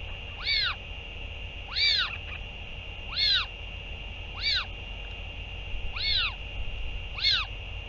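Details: Northern royal albatross parent returning to feed its chick, 8 June 2023; six rich arched calls, each rising then falling, repeated about every one and a half seconds over a low hiss.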